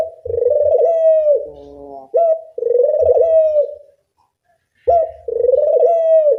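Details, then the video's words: Dove coos used as a training lure: three long, wavering, slightly falling coos separated by a low layered note and a short sharp call, with a brief silent pause before the last coo. "Pancingan puter bersuara nyaring, melatih bunyi semua jenis burung puter"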